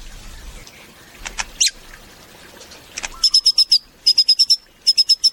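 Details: White-rumped shama singing: a few scattered sharp chirps, then three rapid bursts of four to five clipped, metallic notes at a steady high pitch, each note with a crackling edge, against an otherwise quiet background.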